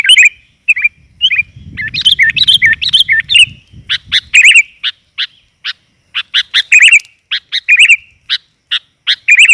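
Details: Sooty-headed bulbul female, 'gajor' type call meant to attract males: bubbly warbled phrases early on, then repeated sharp chips and chattering bursts at irregular intervals, with a low rumble underneath for a few seconds.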